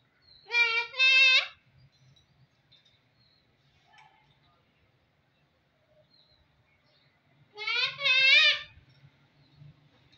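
A Moluccan cockatoo gives two loud, harmonic, bleating utterances that rise slightly, several seconds apart.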